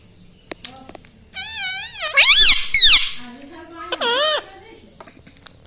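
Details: Talking pet ringneck parrot indoors: a long warbling word-like phrase rising and falling in pitch, followed by a shorter swooping call, with soft human speech in the background.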